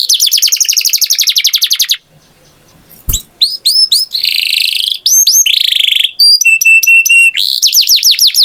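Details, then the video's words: Singing canary: a fast repeated chirping trill, a short pause with a sharp click, then varied whistled sweeps, buzzy rolls and a dense rapid trill. "Canary Singing Beautifully"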